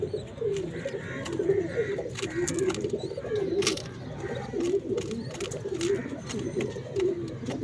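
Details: A mother pigeon with chicks gives soft, low, rolling coos over and over, with occasional sharp clicks and rustles.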